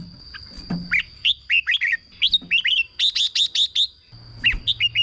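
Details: Song of a Red-whiskered bulbul, used to rouse caged birds: chirpy whistled notes in short groups, including a rapid burst of five sharp rising notes near the middle, over a thin constant high tone.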